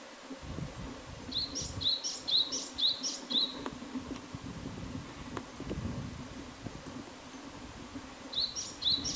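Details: Japanese tit singing, filmed in 4K: a phrase of five paired notes, a high note falling into a lower upslurred one, repeated about twice per second, then the pattern resumes near the end over faint low background rumble.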